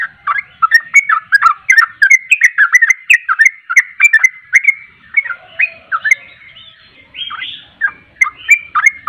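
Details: Lure song of the sooty-headed bulbul, played to provoke birds into singing back: fast chattering run of liquid whistled notes, a brief lull around the middle, then renewed bursts of bubbly phrases.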